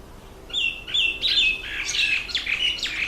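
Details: Red bishop during the October–November breeding season, when males turn black and red and nest in reeds over water; a series of buzzy, sizzling chirps rising and falling, delivered in short bursts about every half second, with a quiet background.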